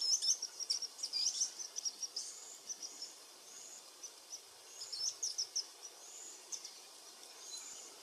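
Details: Varied sittellas (Daphoenositta chrysoptera) in Capertee Valley, Australia, during nesting from eggs to fledglings, give thin, high chipping calls in quick bursts, clustered at the start and again midway, over a soft hiss.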